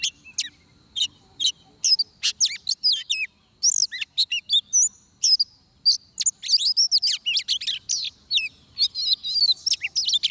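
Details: Oriental magpie-robin song heard while trapping: long, energetic stream of sharp chirps, whistles and twittering phrases, densely packed, with a brief lull near the middle.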